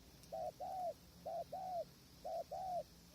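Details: Spotted dove during hide-based decoy trapping on a windy day: three clear pairs of coos, each a short note then a longer slightly arched one, spaced evenly about a second apart, soft hum in the background.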